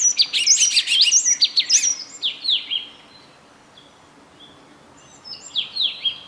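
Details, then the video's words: A lone bird gives a quick cluster of piercing high whistles and swooping slurs, falls silent for about two seconds, then resumes with a few more descending notes; a steady hiss runs beneath. "nkauj noog quaj zoo mloog a bird that sounds good alone"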